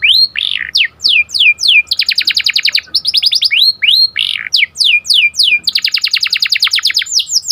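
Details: Canary song in the Indonesian cuit cuit ngerol tajam style, meant as a lure to train canaries and rouse breeding birds: high swooping whistles alternate with fast, buzzy rolling trills, then more downslurred whistles and another sharp rolling burst.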